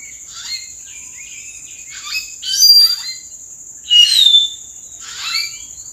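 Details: Common hill myna calling from treetops in April. Loud, harsh, ringing squawks mixed with clear piercing whistles come in bursts a second or two apart, over a faint high insect hum.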